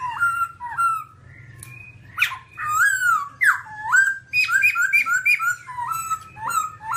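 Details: Timaliidae babbler, all black, singing varied whistled notes with sliding pitches, some harsh upward sweeps, then a fast run of repeated short slurred whistles; low hum in the background.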